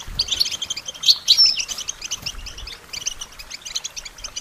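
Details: Songbird training recording of a European goldfinch: quick, bright, liquid twittering notes in rapid runs, loudest in the first second and a half, then steady chattery phrases.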